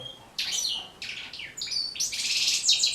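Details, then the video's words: Goldfinch song played to motivate goldfinches to sing. Three separate bursts of high twittering, the last a long, buzzy, tinkling trill that grows louder toward the end. "بتبتة جد مهمة لتحفيظ و تحفيز طيور الحسون على التغريذ"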